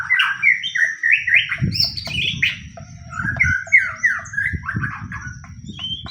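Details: White-rumped shama, fighting bird, singing as a lure that makes other shamas answer: fast, varied strings of slurred whistles and warbles, loud and continuous, with low thumping noises underneath.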